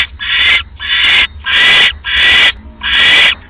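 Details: Owl at the nest in the early morning of October 5, 2015, as the male brings a rat. Five drawn-out, grating hisses sound in a steady rhythm, separated by short pauses.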